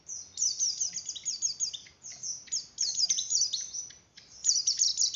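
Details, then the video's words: Song of a Javan grey-throated white-eye used to stimulate breeding condition in other white-eyes: energetic, very high chattering phrases of quick downslurred notes, broken by brief pauses about every second or two. "Suara Pleci Oper birahi Cocok Untuk Menaikan Birahi Pleci"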